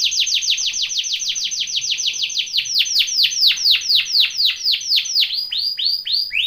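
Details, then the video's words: Canary training song: a long run of fast, evenly repeated downward-sweeping whistled notes, about two per second, slowing and shifting into fuller, lower notes near the end. "CANARY TRAINING SONG"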